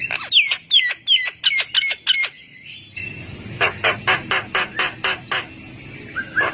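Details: Javan myna in full, active song that sets other mynas calling in reply: a fast run of sharp clicky notes with descending whistled slurs, then a harsher series of buzzy rasping notes about twice a second, with a short whistle at the end.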